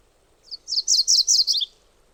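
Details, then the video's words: A MacGillivray's warbler sings one quick, buzzy phrase of repeated high chips that grow louder through the middle, then drop to a lower closing note; the surroundings are otherwise quiet. "MacGillivray's Warbler Sound"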